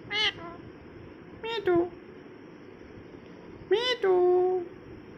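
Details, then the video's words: Molting pet parrot indoors utters three harsh, voice-like calls with bending pitch, spaced about 1.5 seconds apart, the last one longest and sliding downward, over a quiet room hum. "My Lovely Parrot Talking With Me !!!"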